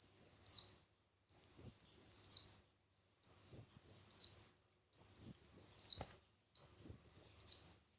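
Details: Red-whiskered bulbul singing competitively for voice training: five evenly spaced, high whistled phrases, each arching up and then descending in a fluid warble, about every one and a half seconds.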